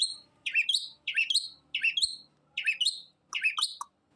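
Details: Long-tailed shrike singing loudly, 'gacor los trotol' style: five similar sharp phrases, each a quick rising and falling whistled swoop with a high tick, spaced about two-thirds of a second apart.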